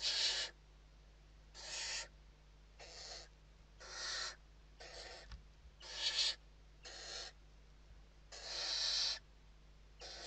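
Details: Western barn owls inside a nest box in Spain at evening feeding time, 29 November 2023. A series of harsh, wide-band hissing screeches, some short and some nearly a second long, repeats about every second, with one faint knock.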